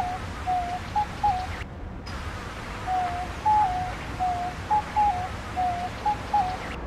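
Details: Diamond dove (Geopelia cuneata), coo.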